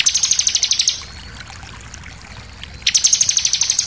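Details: Bar-winged prinia lure recording for provoking other birds: two fast, chattering high trills of many evenly spaced notes, each about a second long, divided by a quiet gap of nearly two seconds.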